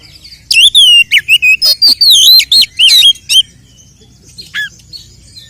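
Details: Oriental magpie-robin provocative fighting song: a loud, fast sequence of clear whistled notes, many bending up then down, lasting about three seconds, then near silence with one brief late note.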